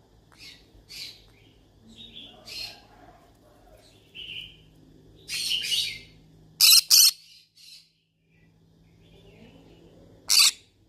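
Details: Pet yellow-sided conure seeking friends to chat with, giving irregular chirps and rasping squawks, with two loud back-to-back shrieks near the middle and another toward the end.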